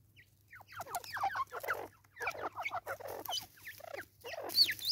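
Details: Raucous cackling from a Natal spurfowl in South Africa, 2024: loud bursts of grating, down-slurred notes delivered rapidly in uneven clusters, with short pauses between volleys and a thin high squeal near the end.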